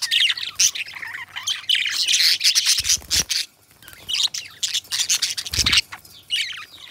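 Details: Pet budgies chatter in rough, buzzy high warbles and squeaks, separated by short pauses, with a couple of dull thumping rustles around three and five and a half seconds.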